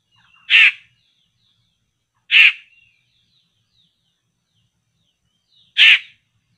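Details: Laughingthrush called poksay, lured toward a trap, repeating a harsh rasping call three times at intervals of roughly two to three and a half seconds; faint thin whistles in the quiet gaps.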